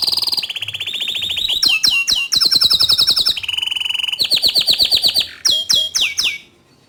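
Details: Loud, continuous 'gacor' song of a bottle-green canary, meant to tutor young and untrained canaries: high rolling trills, runs of sharp falling chips, a lower buzzy trill and clear upslurred notes.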